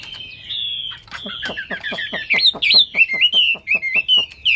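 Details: A Hwamei, or wambi, in vigorous gacor song: a long steady whistle, then quick clipped notes mixed with looping, sliding whistles that rise and fall, growing louder toward the end.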